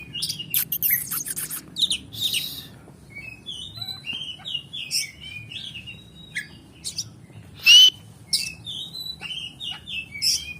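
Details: Oriental magpie-robin singing: a varied run of high chirps, scratchy bursts and short whistled notes, uneven in pace, with one loud sharp note near the end and a steady low background hum.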